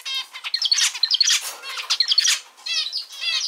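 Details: Singing male zebra finch kept at home: nasal, buzzy harmonic notes alternating with sharp clear pips, then a pause and a fresh burst of rasping syllables.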